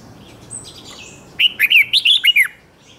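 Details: Red-whiskered bulbul contest song for provoking another bird to sing: one quick phrase of about seven bright, bouncing whistled notes after a thin high drawn-out whistle, over a light steady background hiss.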